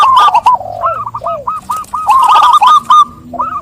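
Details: Zebra dove cooing song: a run of quick, bouncing, staccato coo notes with soft, lower drawn-out coos beneath, suggesting more than one bird calling together.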